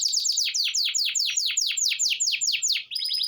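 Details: Morning song from a Belgian canary: a rapid run of sharp, high downsweeping notes, about five each second, repeated evenly for three seconds. It ends in a brief switch to thin, steady tones.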